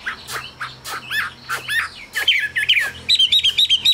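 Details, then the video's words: Chinese hwamei, a cage bird, giving short separate chirps that build into loud rising whistles and a fast string of high repeated notes. "Họa mi siêu phẩm, người dai miên man | Hoạt Họa Mi"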